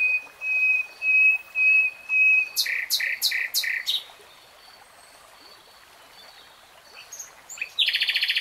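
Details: Common nightingale song: several long pure whistles on one pitch, then four loud harsh repeated notes. After a quiet gap come scattered high notes and a fast, very high buzzing trill.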